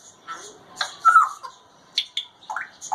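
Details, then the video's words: A caged grey parrot talks in short, speech-like bursts, with whistled and squawky syllables sliding up and down, separated by brief pauses. "#Talking #Grey #Parrot"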